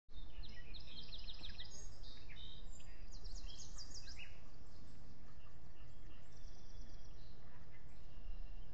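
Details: Osprey pair at their nest at Salt Point, picked up by a nest-camera microphone on 22 June 2020 around 9:38 in the morning; two bursts of high, rapidly repeated chirping notes over a constant low rumbling background noise.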